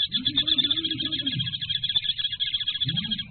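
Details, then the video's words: Rapid high kingfisher notes run on continuously, partly blurred together, with two soft low dove coos at the start and end. "Birds chirp length tiller Tengkek"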